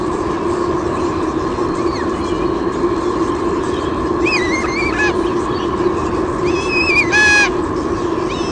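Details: At a Sydney Olympic Park nest in Australia, 23 June 2016, a female white-bellied sea eagle squeals while the male delivers a fish. Nest camera picks up a few thin, wavering, harmonic squeals late in the clip over constant hiss.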